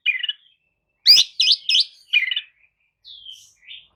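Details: Oriental magpie-robin singing a lure song used to stir listless birds into replying: low chattering notes, then loud sharp stacked chirps, a warbled trill and a soft fading whistle.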